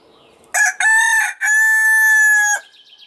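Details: A Marans rooster delivers one full crow, two brief strident notes then a long held, slightly falling note ending abruptly, with faint chirps from small birds afterward.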